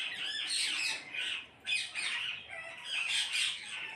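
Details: A flock of parrots calling together: dense, overlapping harsh squawks and screeches run almost without pause, with a short lull midway before the raucous chorus picks up again.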